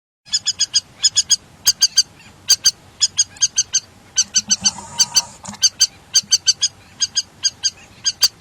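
River lapwing giving sharp, metallic, high-pitched notes in quick bursts of two to four, repeated steadily with brief pauses between groups.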